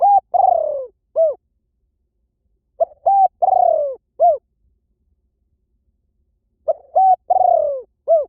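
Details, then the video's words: Three repeated Spotted dove lure phrases, about one every three seconds. Each is a quick short coo and a steady coo, a drawn-out descending purr, and a short arched final note. The call is said to pull birds in fast anywhere. "เสียงนกเขาใหญ่ หมานๆ ต่อเข้าเร็ว ป่าไหนก็เข้า"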